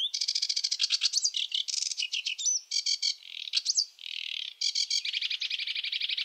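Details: Sedge warbler singing a varied, hurried chatter of fast note series, switching phrases every half second or so, with a brief harsh buzzy patch in the middle.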